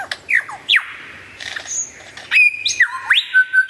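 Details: Varied lyrebird song, loud and clear, mixing steep downward sweeps, a brief high whistle, and a run of rising and level whistled notes that closes in repeated emphatic phrases.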